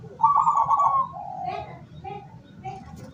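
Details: Zebra dove of the local type, kept as a decoy to lure wild doves, 17 August 2023: one loud, rapidly trilled coo fading into a lower purring note, then quieter short coos over a low background hum.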